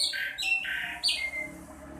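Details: Swallow (sekoci) recording used to stir caged birds into song: a string of loud, buzzy, high chirps stepping downward, then a thin falling trill, over steady low background hiss.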